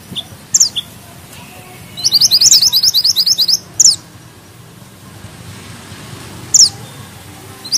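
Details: Mountain bushchat singing vigorously: a quick burst of high, twittering trilled notes, plus a few separate sharp high chirps before and after, over a quiet background.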